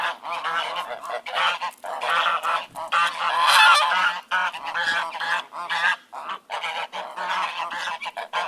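A flock of ducks quacking all at once: harsh, nasal quacks overlap in a steady, busy chorus, with brief gaps between bursts.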